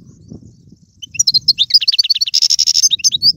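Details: Goldfinch song for prompting a pet bird to sing, starting after a low murmuring background with quick high twitters, a buzzy rasping note in the middle and further rapid chirps.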